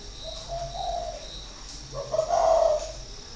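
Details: Spotted dove kept caged for six years as a decoy in Ba Vi, Hanoi, Vietnam, in 2019, delivering a quiet drawn-out coo followed by a louder, fuller hooting note near the end.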